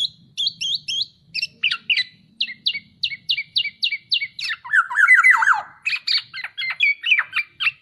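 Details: Black-naped oriole in a masteran training recording: a rapid chain of sharp high chirps, broken midway by a lower, rich, slurred warbling phrase, then the quick high chirping resumes.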